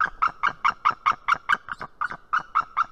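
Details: Female white-tailed eagle at the nest in Estonia, giving warning calls at 7:04 in the morning on 19 March 2018, caught by a nest camera: a fast series of sharp, yelping notes, about fourteen in three seconds, steady in pitch.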